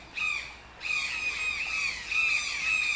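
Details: A toucan calls in loud, grating squawks. After one short opening note comes a longer, nearly continuous run of rough, downward-bending cries with a strong buzzy overtone.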